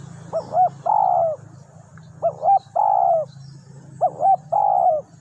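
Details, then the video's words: Spotted dove calling to lure wild doves repeats its phrase three times, roughly every two seconds: a pair of short upswept coos, then a drawn-out, rolling coo, over a constant low droning hum. "suara tekukur enak"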